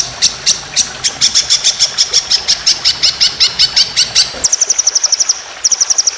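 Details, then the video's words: White-rumped shama competition training song with long rapid-fire phrases: a fast run of sharp, high ringing notes, about three per second, then a quicker, tighter burst of clipped notes near the end. "Masteran Burung Lomba Tembakan Panjang Roll Speed"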